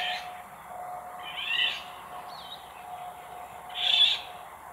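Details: An exhausted Eurasian golden oriole sheltering on a sailboat heading to Île d'Yeu gives three harsh, rasping, cat-like calls about two seconds apart, with one brief down-slurred whistle between them, over a steady low hum.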